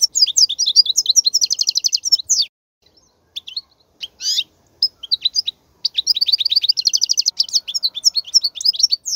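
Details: European goldfinch singing, meant for young goldfinches to learn: quick repeated tinkling twitters, a quieter stretch of scattered chirps and a buzzy note, then another long fast twittering run.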